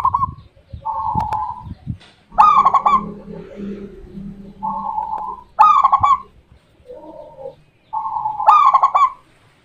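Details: Song of a local Indonesian zebra dove: repeated phrases of sharp stuttered coos followed by smooth level cooing, roughly every three seconds, with brief clicks and a softer low cooing bird in the background.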